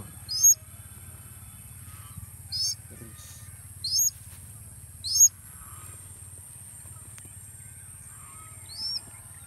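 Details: Sulawesi goshawk flown in falconry during a hunt: five sharp, thin, high downslurred notes spaced irregularly, a couple of seconds apart, over a steady low hum.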